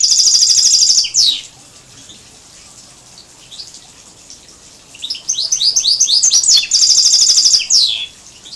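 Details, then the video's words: Song of a major goldfinch × canary hybrid, recorded 2012: a fast, buzzy high trill ending in a downward slide, a pause, a series of quick rising notes, then the buzzy trill and slide again. "chant 2 major x canari"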